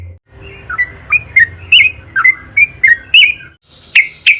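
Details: Yellow-vented bulbul singing as a lure to prompt others: a series of separate, bright, slurred whistled chirps spaced roughly every third of a second, with a soft low hum beneath.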